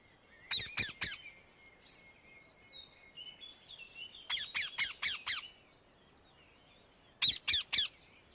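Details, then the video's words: Wild Indian ringneck parakeet in nature giving harsh, grating squawks in rapid bursts of three, five and three, with quieter chirps and thin whistles from other birds between the bursts. "Indian ringneck parrot in nature 8 صوت الببغاء الدرة في الطبيعة"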